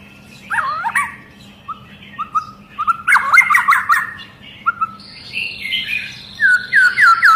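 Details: Agitated long-tailed white-rumped shama whose singing sets other shamas off: clear whistled notes and slurred phrases, with loud bursts of rich warbling and sharp upslurred whistles near the close. A low background hum runs throughout.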